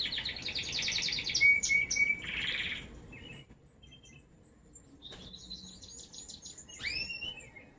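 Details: A male American Singer canary (Belgian canary) sings bright, rapid trills and a buzzy phrase, pauses, then resumes with quick repeated chips and a sweeping rising note.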